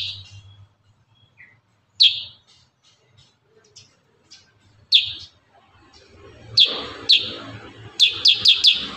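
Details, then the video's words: Kurincang delivering rapid 'tembakan rapat' song: sparse sharp falling notes at first, then a fast run of four or five clipped high shots near the end, soft background murmur. "Masteran burung kurincang tembakan rapat"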